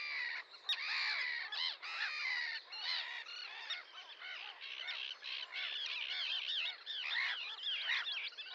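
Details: Harsh, grating calls of numerous Sandwich terns pour out together, a steady noisy colony chorus with one sharp click near the start.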